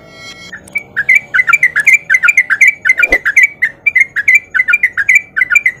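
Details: Male sooty-headed bulbul in breeding condition, singing a fast 'ropel' chatter used as a lure to coax other bulbuls into song: quick bursts of bubbly, up-and-down whistled notes, about eighty phrases a minute, one faint thud midway.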